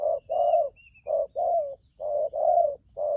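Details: Spotted dove, a newly caught wild bird used for trapping, cooing in the 'thúc gù' style: low, hollow coos in pairs, a short note then a longer drawn one, repeated steadily, with faint high chirps of another bird.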